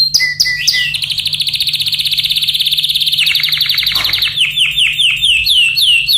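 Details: Yellow canary in excited song, opening with sharp chips, then a long, very rapid, even rolling trill that shifts pitch midway, ending in quick repeated downslurred whistles over a faint low hum.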